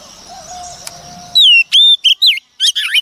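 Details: Wild-caught female Oriental magpie-robin singing to rouse males. A faint low wavering tone and background hiss give way to loud clear whistles, sliding and looping, ending in a burst of buzzy chattering notes.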